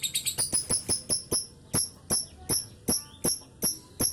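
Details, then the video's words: Lovebird giving a long ngekek, used to prompt other birds to sing: a fast run of sharp, high, ringing chirps, very quick at first and then slowing to a steady beat of about two notes a second. "pancingan love bird ngekek panjang"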